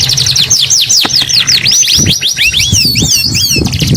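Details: Canary singing loudly: a fast continuous stream of high arching whistled notes and rolling trills, shifting into lower looping slurs near the end, with some low background knocks.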